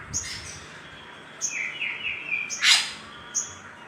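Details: Little spiderhunter lure to excite other birds: scattered high chips and a brief loud harsh burst, with a run of wavering mid-pitched whistles in between.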